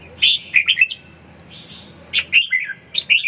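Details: Red-whiskered bulbul recovering from a cough and breathing trouble, giving loud clear whistled phrases of three to four lilting notes, then a pause, then two more bouncy phrases with a drawn-out slurred note between.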